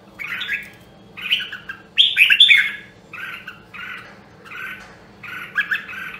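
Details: During voice training, a rare Nam Dong, Hue red-whiskered bulbul gives about seven short chirpy warbles, roughly one each second, the third louder and richer, separated by quiet gaps.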